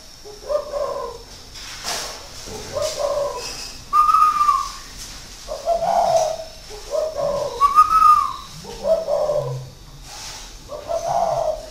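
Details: Spotted dove in Ba Vì, northern Vietnam, a caged decoy bird with six years in the cage, cooing steadily: low hollow phrases repeated about every one to two seconds, some with a slightly higher, rising note, in a quiet indoor setting.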